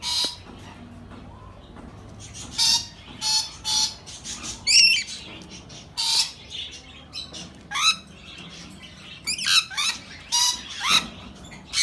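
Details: Rainbow lorikeet giving harsh, screeching squawks in short broadband bursts, some with quick rising or falling sweeps, irregularly spaced and clustered from about the third second onward, with a faint low hum underneath.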